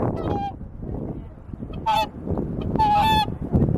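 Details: Swans at rest on Lake Utonai, Tomakomai, Hokkaido: a few brief nasal honks, one drawn out, set against constant low rumbling background noise.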